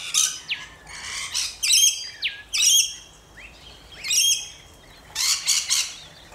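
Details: Australian rainbow lorikeets calling in separate bursts: loud, grating screeches with a ringing, metallic edge, each lasting under half a second, spaced one to two seconds apart.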